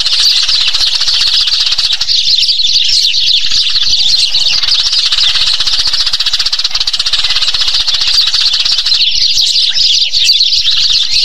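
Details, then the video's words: Eurasian tree sparrow (Passer montanus) flock, common in Thailand, chirping constantly in a dense, overlapping chorus of bright, high notes and chatter. "เสียงนกกระจอกบ้าน - Eurasian Tree Sparrow Sound"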